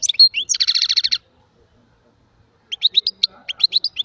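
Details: A European goldfinch opens with sharp chirps and a dense buzzy trill, falls silent for over a second, then resumes with quick high twittering notes.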